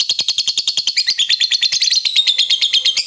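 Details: Lovebird in full ngekek, the long trill meant to excite other lovebirds: an unbroken, loud, high-pitched chattering rattle. The notes pulse rapidly and evenly, with a brighter whistled edge partway through.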